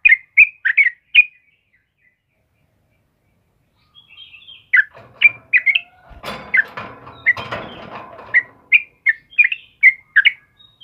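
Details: Sooty-headed bulbul (trucukan kebo) singing in the morning: a few bubbly whistled phrases, a pause of nearly three seconds, then a burst of rustling noise as rapid chirpy phrases resume and run on to the end.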